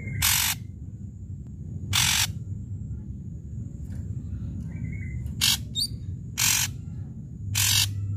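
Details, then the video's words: An Ashy drongo singing vigorously gives loud, harsh rasping bursts about every one to two seconds, with a few thin whistled notes between them, over a low steady hum. "srigunting abu abu gacor"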